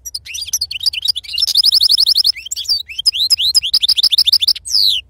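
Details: European goldfinch of wild-type 'serfati' song style singing: rapid twittering notes and short buzzy trills, sweeping high whistles and a dense run of repeated chirps, delivered continuously with only brief gaps, with a faint low hum underneath.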